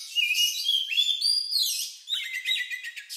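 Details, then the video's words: Song of an Oriental magpie-robin, described as unusual and similar to a lovebird, used to provoke other birds to sing: long sustained clear whistles sliding up and down, followed by quick stuttering chirps. "Suara Burung Lagu Unik Kacer Ini Cocok Untuk Pancingan"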